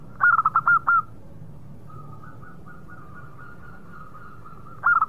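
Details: A short bright phrase of about six quick coos from a local zebra dove, then a long, soft, wavering held tone, and the phrase starts again at the end.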